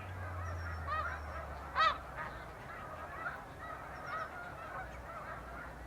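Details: Many snow geese honking together during spring migration in Canada, late April 2015, as flocks lift off from the water at daybreak for the fields; a continuous chorus of arched, nasal barks with one louder honk standing out.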